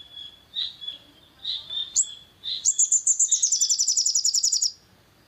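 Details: Long-tailed shrike provocation song: a few softer, mid-high whistled calls first, then a sharp note and a two-second rapid, high, repeated chatter that ends suddenly.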